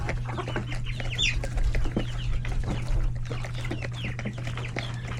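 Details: Feeding time in a crowded coop of chickens, roosters and many chicks; quick irregular clucks about two or three per second mixed with high chirps and a brief wing flutter, steady hum beneath.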